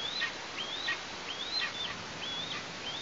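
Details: Eastern imperial eagle chick in its Tatarstan nest in August as parents provide food; rapid rising whistles with sharp falling ends over a hissing background.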